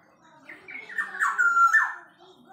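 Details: Blue-winged leafbird, known locally as cucak gadung, singing a short phrase of slurred, rising and falling whistled notes that build in loudness and then fade, sounding close and indoors.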